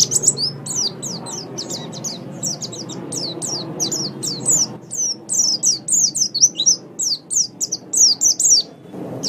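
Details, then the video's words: Mountain white-eye song from a training recording for caged birds, said to work best in the morning or evening. Dense, rapid twittering of high, sharp, down-slurred chirps runs continuously, with a low background hum. "Masteran Terbaik Pleci Mata Putih"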